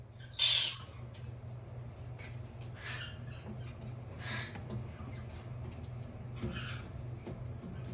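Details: A young red-shouldered macaw chick, sleeping on its back indoors, gives one sharp, harsh squawk, then a few soft, breathy rasps at intervals over a steady low indoor hum.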